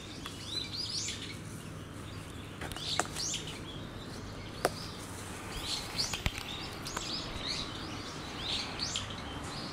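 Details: Brown-eared bulbul giving raptor-alarm calls on 14 November 2013: thin, high, rising-and-falling notes in loose bursts over low rumbling and a few sharp knocks. A goshawk was later seen flying and was chased off by crows.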